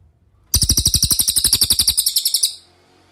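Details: Cililin master song meant for training songbirds such as Murai Batu, Cucak Ijo and Kacer: a rapid high, bright trill of evenly spaced metallic notes lasting about two seconds, then silence.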